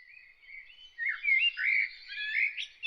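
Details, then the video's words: Bird singing early in the morning: a soft, thin warble at first, then louder, richer twittering phrases with quick rising and falling notes, no other sounds. "Bird singing early in the morning"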